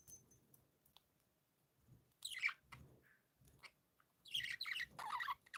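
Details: Playful pet budgies: scattered faint ticks, then a short burst of scratchy chirping, a pause, and a longer run of bright, chattering warbles at the end.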